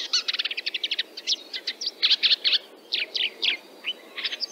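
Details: A Red-backed Shrike in Central Russia gives harsh, scratchy, high-pitched chattering: first a fast rattle, then short bursts of grating and squeaky notes.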